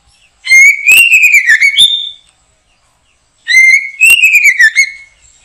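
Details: Backyard trapping session with a white-rumped shama: two near-identical loud whistled phrases about three seconds apart, each rising, trilling and sliding downward.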